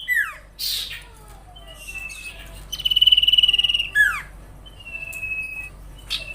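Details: Singing sirtu, kept as a master song for training songbirds: sharp descending whistles, a long steady high rattling trill, and thin sliding notes separated by short quiet gaps.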